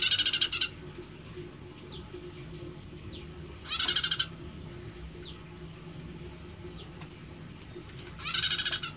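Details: A prinia with an unusual song, unlike its usual one, gives three short bursts of rapid, high, buzzy ticking notes about four seconds apart, with faint thin chips and a low background hum in the gaps.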